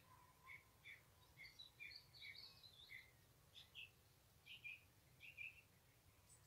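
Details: Song thrush singing loud, clear whistled phrases, repeating each short note several times, typically three to five, before switching to a higher, brighter phrase, over a faint low rumble; song audible about 200 metres away.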